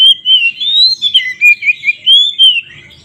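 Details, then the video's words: Provoking fight song of a White-rumped shama, meant to make rival birds agitated: rich fluting whistles rising and falling, broken into short bright notes in a loose steady rhythm for about three seconds. "suara BURUNG Kacer GACOR ngeplong KONSLET Tarung ini Paling Ampuh untuk PANCINGAN KACER agar EMOSI"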